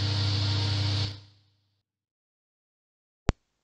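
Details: A steady mechanical hum runs for about a second and fades out, followed by silence and one sharp click.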